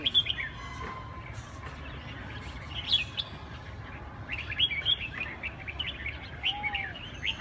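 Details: Bursts of sharp, high chirping phrases from a Huế cánh red-whiskered bulbul, spaced a second or two apart, with a brief low whistle and a continuous low background rumble.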